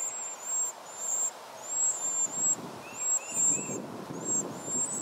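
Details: Wren nestlings, four of them, calling for food as both parents feed them: thin, piercing high-pitched squeals in quick repeated runs, a few softer lower notes, and rustling noise in the background.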